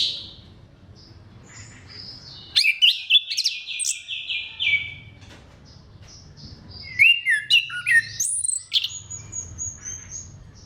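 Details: Caged orange-headed thrush in full song, used to stimulate other thrushes to sing: varied whistled phrases and rapid trilled runs, sliding notes in bursts, with a low steady hum between phrases.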